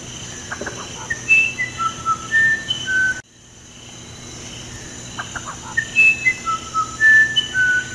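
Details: Musician wren singing clear, flute-like whistled notes at varied pitches, each pure and sliding, in a halting melodic phrase repeated twice with a brief pause between.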